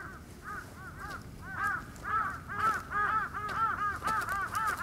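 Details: Red-crowned cranes, a protected endangered species, calling: many overlapping arched, trumpeting notes around the middle range, repeated roughly twice a second, swelling louder in the second half.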